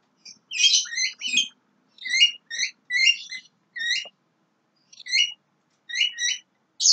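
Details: Chattering song of a young Javan myna: quick runs of sharp, chirpy notes grouped in clusters of two or three. A brief pause falls near the middle before the phrases resume. No other noise is heard.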